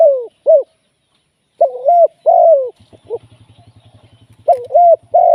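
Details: Caged spotted dove used as a live decoy for trapping, cooing in hoarse, bent notes. The coos come in bursts separated by a pause. The pause holds a fast, soft, low pulsing rattle.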